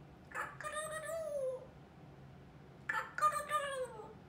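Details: Female pet African grey parrot, 21 months old, indoors, with a growing vocabulary. She gives two meow-like calls with sliding harmonic tones, the first drawn out and falling, the second rougher and broken, separated by a quiet pause.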